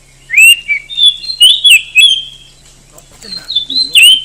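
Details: Oriental magpie-robin, a well-known Indonesian contest bird, sings loud clear whistles that rise and slur, pauses briefly among faint low sounds, then resumes with high whistled notes; a steady low hum runs throughout.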